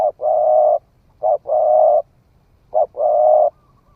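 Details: Spotted dove, a young bird newly started calling, tried out in the forest, giving a low three-part coo: a brief note, a short note, then a long steady hooting note, repeated twice with about a second of quiet between.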